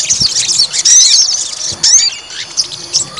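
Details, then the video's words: A short burst of high, rapid chatter and whistled slurs from a white-rumped shama being provoked to fight. "PANCING EMOSI TES MENTAL FIGHTER SOGON"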